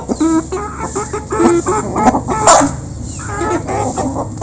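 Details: A flock of local chickens pecking at food up close, with steady low clucks and short tonal calls over a continuous background murmur and one sharp clatter.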